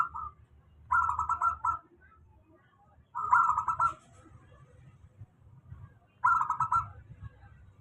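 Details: Local zebra dove singing a stable lure song for doves that seldom sing; three clean, buzzy trilled cooing bursts roughly every three seconds, each about a second long, with quiet gaps between.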